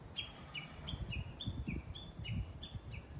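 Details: Japanese bush warbler recorded on 11.3.2020: a brisk run of paired whistled notes, a high note dropping to a slightly lower one, repeated about every half second over steady low rumbling background noise.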